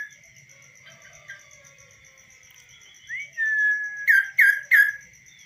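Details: Kaso-kaso bird, tamed and singing on a hand rather than in a cage. After a quiet start it gives a long level whistle, then three sharp, loud down-slurred notes, over a constant faint high tone.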